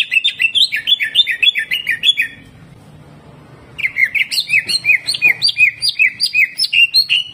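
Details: Rapid rhythmic song of a greater green leafbird, the 'tembakan kasar' style: a chain of sharp, falling chirps about three per second, a short pause, then the same chattering phrase resumes loudly.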